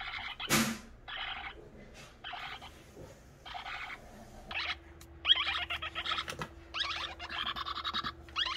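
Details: Persistent young parrot begging for feed despite a full crop; one sharp clap-like knock opens, then buzzy rasping bursts grow longer and more continuous into a nearly unbroken churring stream over a steady low hum.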